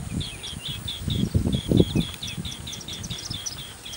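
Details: Indian silverbills preening give a steady stream of short, thin chips, several per second, over low rumbling wind or handling noise.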